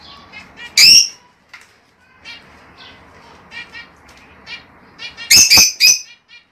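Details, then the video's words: Lovebirds giving a mating call meant for breeding pairs: shrill, harsh chirps in scattered bursts, one loud at the start and a dense cluster near the end, with softer chatter between. "El sonido de los tortolitos para el apareamiento y la producción."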